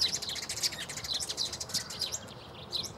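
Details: Tree sparrow at Bundek, Zagreb, Croatia, on 9 March 2015: loud, dense, continuous chattering of high, scratchy chirps, about one and a half per second, easing off briefly before a final chirp.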